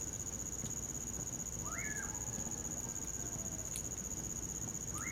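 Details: Common pauraque whistling in winter near a campfire: one full up-and-down slurred whistle, then another beginning as the passage ends. Continuous high cricket drone, with occasional snaps from the fire.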